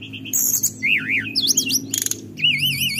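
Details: Mountain forktail (tledekan gunung) sound used to stir up rivals: loud wavering whistled trills, sliding up and down, broken by short buzzy bursts, over a steady low hum.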